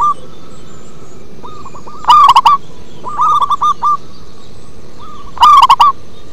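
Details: A local zebra dove sings with a bass-heavy voice. Quiet hooked coos build to a loud burst of rolling notes, a softer trill of short coos follows, then a second loud burst near the end.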